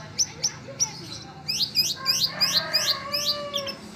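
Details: Caged canary tutored with lovebird song: a few sharp, high chirps, then a faster chattering run of rising high notes, roughly five per second, over a faint low hum.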